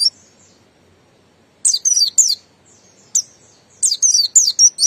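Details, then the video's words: High, sharp whistled phrases from a Buxton's white-eye singing ngalas: a lone note, a pause, a fast cluster of downward-sweeping whistles, another single note, then a closing string of thin slurred notes. "Pleci Buxtoni Bahan Pasti Cepat Bunyi Ngalas"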